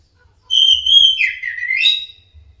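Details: Orange-headed thrush sound used to train caged birds to sing: one loud whistled phrase, a level high note that slurs downward, then rises again to a sharp high ending, with quiet low rumbling behind.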